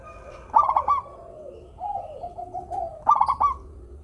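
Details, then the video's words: Local zebra dove with a sweet, steady song, meant to coax lazy doves to sing: a burst of rapid clipped coos, a long lower quavering trill, then another bright staccato burst. "perkutut lokal gacor suara merdu - bikin bunyi perkutut yang malas manggung"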